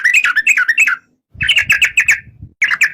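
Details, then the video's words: Bulbul song in short clusters of fast, chattering whistled notes, broken by brief silences, with faint low rumbling beneath the second phrase. "Suara kicau burung trucuk"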